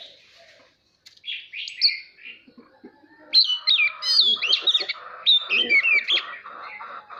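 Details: Oriental magpie-robin singing to train young birds and provoke singing contests; after a brief pause, a rich run of loud, rapid whistled and warbling phrases, rising and falling in pitch, mixed with lower scratchy notes.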